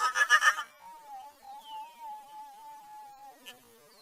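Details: American crow making a strange, unfamiliar call never heard before from it: three or four harsh, rapid bursts, then a long, thin, steady whistled tone that wavers slightly for about two and a half seconds before fading.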